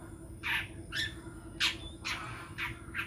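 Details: Long-tailed shrike, a hopeful champion songbird, utters harsh, grating squawk-like notes spaced about half a second apart, one carrying a short whistled tail; low hum in the background.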